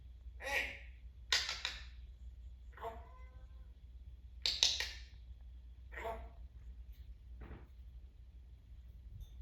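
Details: Timneh African grey parrot, a pet noted as smaller than the Congo variety, being chatty indoors: several harsh broadband squawks mixed with shorter harmonic whistled notes at irregular intervals over nine seconds, with a low room hum beneath.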